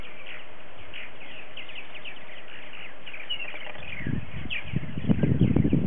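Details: Colony of 60 to 70 adult purple martins on a February 28, 2018 morning early in the season. A steady patter of chirps and warbles from many birds, then wind gusts build strongly in the last two seconds.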